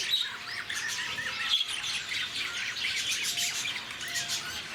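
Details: Lovebirds kept at Bannerghatta Zoo, Bangalore, described as very active and noisy; a continuous dense mix of high chirps and squeaky, overlapping calls from several birds.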